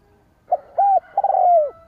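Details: Spotted dove call used to draw in rival wild doves. A brief note and a rounded coo lead into a long, rolling, downslurred purr.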